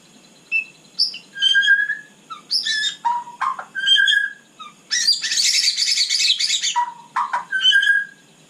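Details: Night song of a white-rumped shama, scattered clear whistles at varied pitches, some low slurred notes, and a long harsh chattering burst in the middle.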